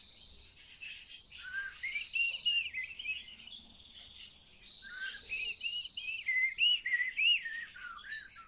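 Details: Common starling, trained to speak, sings loudly: rapid rattling clicks alternate with repeated down-slurred and up-swept whistles, phrases recurring every second or so over a sustained high thin tone.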